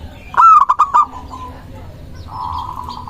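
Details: Local zebra dove, used as a lure to provoke rival doves into answering, giving one loud staccato phrase of three or four clipped, ringing coos, then a softer drawn-out, slightly buzzy coo after a pause.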